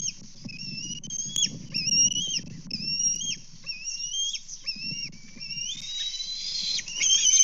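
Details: Bald eagles at a nest in Kansas, filmed on 24 May 2024 as adults deliver fish and one bird steals a fish: a run of short, high, slurred whistles, repeated roughly every half second, then a harsher squealing burst, over low rumble.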